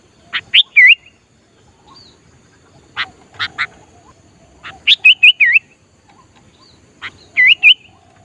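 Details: Sooty-headed bulbul, a strong-singing bird used to lure wild bulbuls: loud sharp notes followed by wavy whistled phrases, in bursts every few seconds, with a quiet background.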